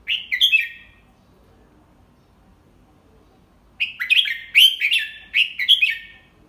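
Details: Teaching song of an adult red-whiskered bulbul, the "double 3" style delivered slowly and clearly for young birds: one warbled phrase, a three-second pause, then three bright, liquid whistled phrases in quick succession.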